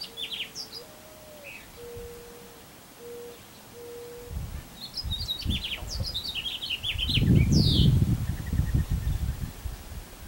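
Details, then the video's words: Birds singing near the summer solstice, recorded on 16 June 2020: a low steady whistled note repeated several times, then quick high chirps and trills from other birds, with rumbling low noise growing louder toward the end. "Birdsong - Summer Solstice 2020"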